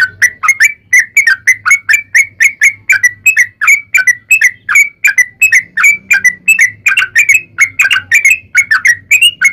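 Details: Sooty-headed bulbul song in the long, rapid fighting style, played as a lure so other bulbuls sing back: a steady string of short, clear whistled notes, over eighty a minute, with some fuller chirps near the end.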